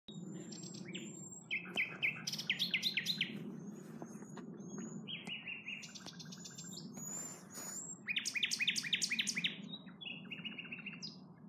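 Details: Common nightingales singing at Norwood Hill RSPB reserve: bold, varied phrases of rapidly repeated clicking and whistled notes, some high and piercing, broken by short pauses, over a steady low hum.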